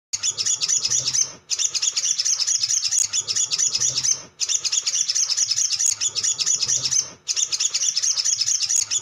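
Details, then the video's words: Male Ruby-cheeked Sunbird in full song: a dense, high, twittering chatter of rapid sharp notes, running almost without pause and breaking off only briefly every few seconds. "SOGON GACOR❗ PANCINGAN CEPAT BUNYI"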